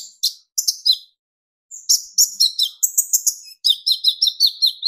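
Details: Kolibri ninja sunbird singing to provoke rival birds. Twittering phrases of high chirps lead into a long run of evenly spaced, slightly falling buzzy notes.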